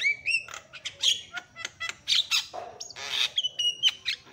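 A Javan myna chatters loudly, mixing harsh squawks and clicks with sharp whistled notes, several sounds each second and no steady rhythm.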